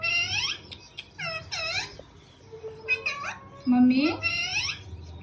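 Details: Pet parrot repeatedly calling "mummy" in a nasal, harmonic, speech-like voice, each word rising and falling, several times in quick succession, with music playing in between.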